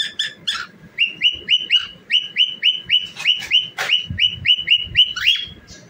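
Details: Singing, dancing cockatiel delivers a fast run of short whistled notes, each rising then flattening, about four per second with steady rhythm, opening with a few harsher chirps and a sharp click midway.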